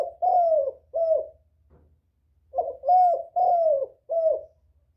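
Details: Spotted dove calling to lure other doves: two bursts of deep, hoarse cooing phrases, each of three to four notes, the middle notes longest and slightly falling, with a low hum underneath.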